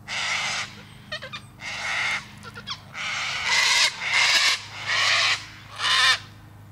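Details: Cockatoo screeching over and over, rough raspy blasts of roughly half a second, spaced unevenly about once a second, with short clicking chatter between the first calls and a faint low hum behind.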